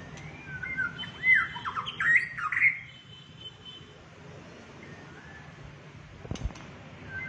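A White-rumped shama gives a burst of rich, sliding whistles and harsh rasping notes over about two seconds, then falls quiet apart from a sharp click.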